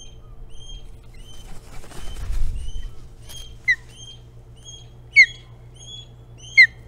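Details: Osprey at Hog Island on 9 April 2017, flying in and out; thin whistled upslurs repeat in a loose series, broken by three louder, sharp downslurred chirps, with a brief rustling noise early on.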